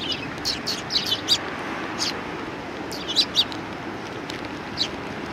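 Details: Sparrows arriving for food, recorded 8 September 2020; clusters of short, high, sharp chirps in small bursts separated by pauses, against a constant hiss of background noise.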